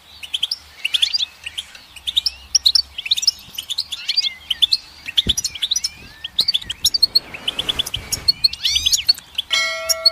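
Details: Continuous goldfinch song of twittering chirps and sweeping whistles, turning briefly harsh and buzzy late on, then ending on a steady, pure electronic-sounding tone.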